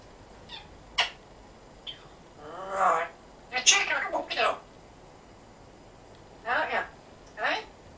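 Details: African grey parrot speaking with a Yorkshire accent indoors: short bursts of human-like, wavering speech syllables and squeaky word fragments spaced by pauses, some rising and falling like phrases.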